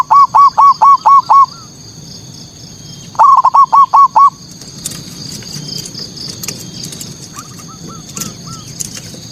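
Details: Zebra dove singing as a lure to make rival local doves agitated: two bursts of six quick, clear hooked coos, then a faint distant reply of similar notes, with insects droning steadily in the background.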